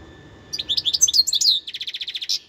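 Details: A wild European goldfinch from 2021 delivers a quick jumble of high tinkling and slurred notes, ending in a rapid even trill and one buzzy final note, with faint low hum behind.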